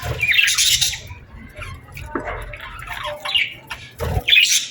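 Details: A summer evening bird chorus at sunset, with bursts of bright, rapid chirping separated by calmer stretches of softer calls and occasional low knocks.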